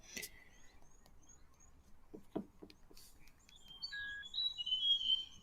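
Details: A played recording of a Forest Robin (also called Gabon Robin) giving high, thin whistled notes, some held and sliding between pitches, with short chirps, soft clicks and rustling; males call to attract another male or defend territory.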